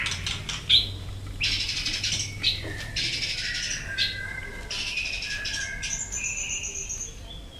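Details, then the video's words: White-rumped shama stirred into a fighting song while tail-flicking on its perch: clustered high chirps, then longer clear whistled notes sliding lower and a high sustained whistle near the end. "Chòe Lửa Đánh Đuôi Sàn Cầu Kích Lửa Hót Căng. luyện Chòe lửa hót đấu"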